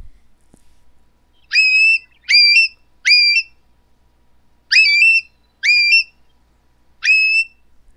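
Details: A Long-billed Curlew gives its whistle call, six clear rising whistled notes in two groups of three, each sharp and ringing against an otherwise quiet background.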